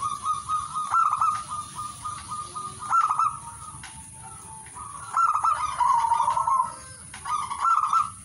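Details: Perkutut, the zebra dove, in song, giving long runs of rolling, burbling coos that run almost continuously and swell in loudness, with brief pauses between phrases and a constant high background hiss.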